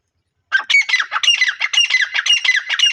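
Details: Grey francolin giving a fast harsh call: dense raspy grating notes in quick succession after a brief silence.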